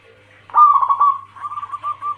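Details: Female zebra dove, local Bangkok crossing cemani type, calling to a male: a rough rolling burst of coos followed by a run of short, wavering, mid-pitched notes, over a steady low hum.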